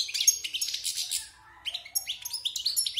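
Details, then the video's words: Song of a wild-caught European goldfinch, caged six months and fresh from moult: rapid, sparkling high twitters and liquid chirps, a dense burst followed by a short gap, then more clipped notes. "Chant de Chardonneret sauvage (Repassage)|غناء حسون خلوي خارج من تغير الريش"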